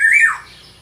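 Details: Small local black-naped oriole: a single loud, harsh note that holds briefly then drops, fading quickly into quiet.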